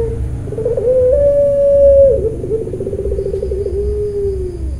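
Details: A Barbary (ringneck) dove of the puter pelung type at a bird farm in Kroya, Cilacap, Central Java, Indonesia, gives one long, drawn-out mellow coo that breaks into a rolling tremble and sinks lower at the end, over a steady low hum.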